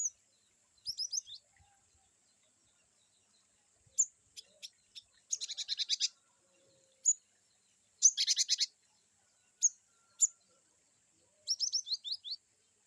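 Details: Cinereous tit (glatik batu), varied wucit-wucit song for training other birds: scattered single sharp ticks and several dense buzzy, rattling bursts of high chirps, ending with a quick run of falling notes.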